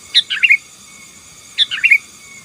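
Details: Two matching bubbly phrases from a sooty-headed bulbul singing 'gacor' to intimidate rivals, each a quick run of three or four liquid, chirpy notes falling in pitch, about one and a half seconds apart.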